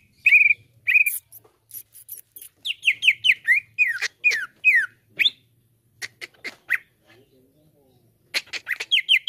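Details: Lure recording of a cucak ijo, or leafbird, meant to prompt a caged bird to sing: clear whistled phrases, runs of descending slurred notes, sharp clicking chips and a short pause before further whistles.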